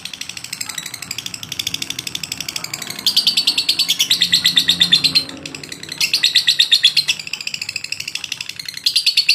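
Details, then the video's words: A lovebird's long-lasting training song: steady runs of sharp, high-pitched chirps, quieter stretches alternating with louder, denser bursts over about nine seconds. "masteran paling ampuh, lovebird ngotot durasi panjang"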